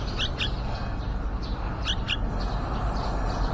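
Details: At a yellow-vented bulbul nest by a window, two crisp paired chirps and a few fainter notes ring out over dull background rumble.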